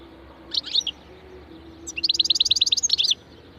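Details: European goldfinch of the wild type with its ringing 'ranna': a short twittering burst, a pause, then a rapid, regular string of high, bell-like chirps closing with a trill.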